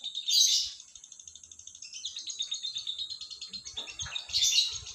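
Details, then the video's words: Morning song of a lovebird, opening with a harsh screech, then a fast high chattering trill of ticking notes that thickens into a jumble before another loud raspy burst; soft low knocks beneath. "SUARA BURUNG LOVEBIRD DI PAGI HARI"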